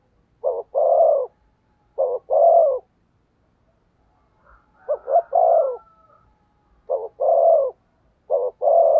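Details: Decoy spotted dove cooing insistently to bring in wild doves: five regular phrases, each a short clipped note followed by a long mellow coo, with brief faint whistles in the middle.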